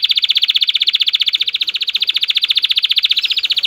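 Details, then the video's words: Excited male canary singing to stimulate females to mate: a fast, steady, high buzzy trill of rapid even pulses held throughout without a break. "طائر كناري هائج. لتحفيز اي انثى على التزاوج"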